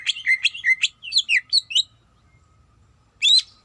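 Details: Greater green leafbird, a female calling the male, gives a quick run of bright chirps and slurred whistles lasting under two seconds. Silence follows, then one last loud note, above a faint hum.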